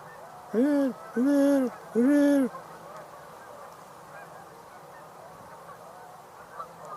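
Tundra swans give three quick, mellow honking hoots in a row, each about half a second, over a steady low background hiss.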